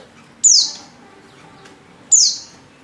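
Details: Oriental white-eye female lure call used to draw males into singing: two loud, high, thin falling notes about one and a half seconds apart over quiet background.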